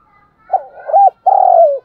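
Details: Spotted dove coo used to get caged doves calling during rain and wind: a soft rough opening, a rounded arched note, then a long buzzy coo that slides downward, with faint higher tones in the background.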